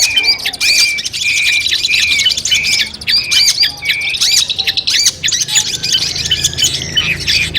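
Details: Long-tailed shrike song in training audio played before a song competition: harsh squawking notes mixed with repeated steady mid-pitched whistles and quick chatter, delivered in short phrases.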